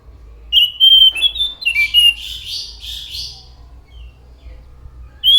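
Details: Orange-headed thrush delivering a loud, rich song: clear whistles that turn into buzzy, scratchy notes, then a pause before one more whistle at the end.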